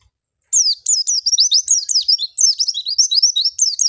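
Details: High, rapid twittering song of an oriental white-eye, used to coax white-eyes into singing: begins after a short silence, then a continuous jumble of thin, sliding whistles.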